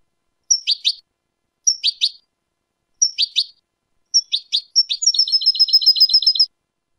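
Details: European goldfinch singing a clean song recorded in 2019: high, bright twittering phrases repeated four times, each a sharp note and a quick double chirp, then a fast tinkling run of repeated notes, against silence.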